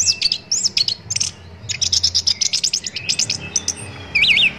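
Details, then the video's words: Orange-headed thrush singing in a tutor recording for cage birds: high chirps, then a steady series of about a dozen evenly spaced notes, ending with a wavering whistled trill. "MASTERAN ANIS KEMBANG"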